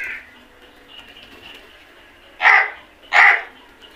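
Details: Crows in a flock at feeding time: a faint caw opens, then two loud rasping caws follow about three quarters of a second apart, with softer chatter underneath.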